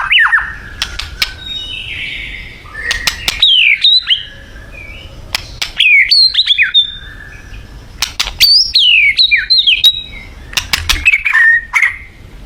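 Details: Thai white-rumped shama singing; varied rich whistled phrases with sliding and falling notes and sharp clicks, delivered in bursts separated by short pauses.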